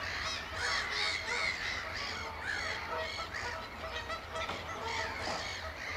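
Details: Several oystercatchers at Amwell Nature Reserve in April give a piping display: a dense, overlapping chorus of shrill, arched piping notes, fast and uneven, with a low steady rumble beneath.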